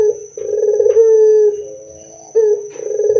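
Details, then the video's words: Loud, vigorous Barbary dove song used as a lure to make other doves answer: deep, drawn-out coos held level then sagging slightly, with rough rolling notes between. A steady high electronic whine runs throughout. "PANCINGAN SUARA PUTER GACOR DAN KERAS AMPUH UNTUK BIKIN PUTER NYAUT BUNYI"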